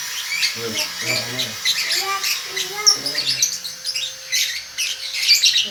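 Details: Lovebird aged one and a half months, singing in the continuous konslet style: dense high chirps and squeaky twitters with lower tonal notes and a faint steady hum underneath.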